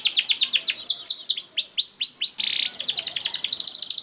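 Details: Long rattling 'ngerek' canary song used as a lure to set other canaries singing: quick falling whistled notes, a harsh buzzy burst, then a fast ticking trill of sharp high notes.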